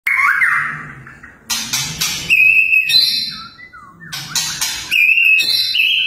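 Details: White-rumped shama delivering fierce 'tembakan' song bursts, tagged as contest material: a sliding whistle, then loud harsh broadband bursts and clear high whistled notes, repeated after a short pause.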